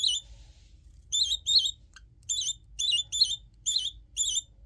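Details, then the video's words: Budgerigar chick, a pet described as talkative, repeating sharp high chirps in pairs with brief pauses between, set against a quiet low room hum. "Птенец разговорчивый."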